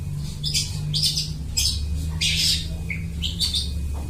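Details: Vocal long-tailed shrike mimicking other birds' calls, offered as a trapping lure; short, bright, rasping chirps in quick irregular bursts, several per second at times, over continuous low background rumble.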